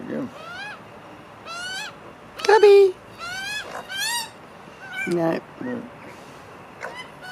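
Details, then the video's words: Magpie family eating together, giving funny noises: a series of nasal, harmonic squawks with upward-sliding notes, several calls in quick succession with short gaps, one louder grating burst near the middle, over faint background hiss. "Magpie family eating together making funny noises"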